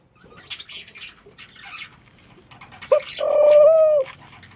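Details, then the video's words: Mourning dove giving a short rising note followed by a single low, level coo with a slight tremble, lasting about one second, after scattered higher chirps and faint background rustling. "The Mourning Doves Sounds."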